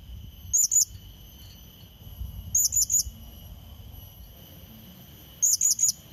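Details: Three separated bursts of three thin, very high, rising chips from a blue-crowned hanging parrot, played to lure and challenge a rival, with a constant high-pitched background hum.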